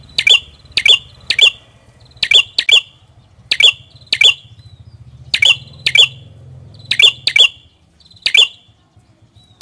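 A prinia gives sharp, dry chipping notes in quick pairs and triplets, about once a second, over a faint low hum.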